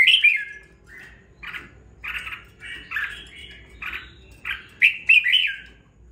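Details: Caged red-whiskered bulbul, after two weeks of care, giving rapid chattering song: a run of short, buzzy, slurred notes in quick succession, ending with louder bright whistled phrases.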